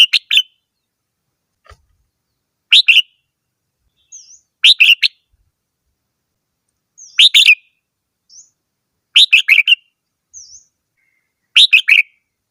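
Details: Red-whiskered bulbul repeating short, rich whistled phrases every two to three seconds, each a quick run of bubbly notes; thin high chirps from another bird sound faintly between.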